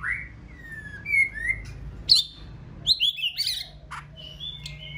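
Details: Female white-rumped shama in breeding season, having finished her moult, singing to stimulate a male: clear whistled notes, some slurred downward and others rising, mixed with sharp high chips and short bright upward flicks.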